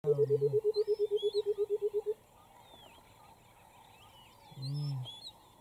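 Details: White-browed coucal in Queen Elizabeth National Park, Uganda, in August 2022, giving a rapid run of about sixteen hollow, bubbling hoots over two seconds, with a deep start; small birds twitter in the background.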